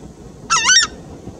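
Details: Southern screamer, known locally as Chajá, giving one loud two-part trumpeting honk: a rising, nasal first syllable running straight into a stronger second note, rich in harmonics, over quiet background hiss.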